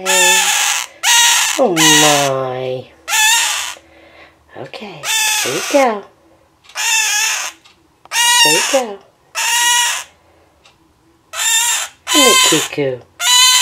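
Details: Male scarlet-chested parakeet kept as a pet cries over and over next to his mate: grating, buzzy bursts about once a second, with a woman's calming words mixed among them.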